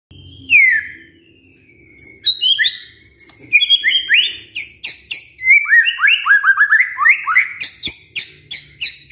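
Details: White-rumped shama song used as a lure to provoke a lazy male into singing: a long whistled note sliding down, then loud varied phrases of rapid rising whistles and sharp high clicks repeated in quick succession.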